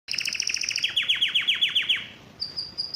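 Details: Excited male canary singing, eager to mate: a rapid run of bright repeated notes, then a series of loud descending slurred whistles about eight per second, ending with short high clear notes.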